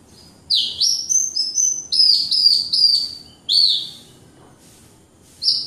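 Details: Caged Javan Horsfield's bush lark of the Wates strain in vigorous song: a flowing chain of high slurred whistles rising and falling, then a single downslurred note, a pause, and a final bright slur.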